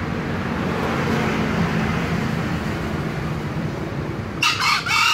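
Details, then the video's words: Hoarse double-noted crow of a green junglefowl arriving late in the recording, short and abrupt, following several seconds of low steady rumble. "ayam hutan hijau berkokok"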